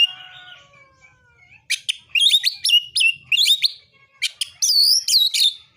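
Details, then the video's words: An Oriental magpie-robin sings its provoking narung fighting song. It begins quietly with a soft trailing tone, then bursts into rapid, emphatic swooping whistles and sharp clicks over the last four seconds. "KACER MANA YANG DIAM DAN NGAK NYAUT DENGAN KICAUAN KACER NARUNG SATU INI"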